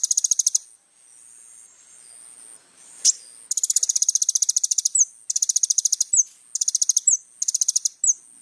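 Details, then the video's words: Little spiderhunter, known as kolibri ninja, in vigorous song used to tutor young birds; repeated bursts of fast high rattling trills, several ending in a sharp down-slurred chirp, separated by brief pauses, with a thin constant high tone. "SUARA BURUNG KOLIBRI NINJA GACOR FULL ISIAN MEWAH"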